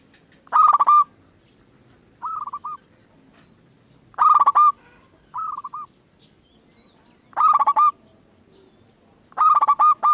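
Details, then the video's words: Zebra dove song played as a lure to make other doves sing: rasping harmonic bursts that break into quick stuttered coos, alternating loud and softer phrases roughly every one to two seconds against a quiet background. "Pancingan Burung Perkutut Bikin Perkututmu gak mau diem"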